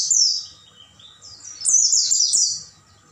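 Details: Oriental white-eye singing at night, meant for training caged birds: sharp high notes and a wavering falling whistle, then a loud tumbling run of rapid chirped notes near the end.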